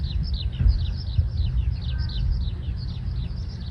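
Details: Eurasian skylark song: a continuous stream of rapid, high chirping and trilled notes without pause, over a steady low rumble; breeding-season male, often hovering in song, neighbourhood park in Japan, 20 May, great tits also calling.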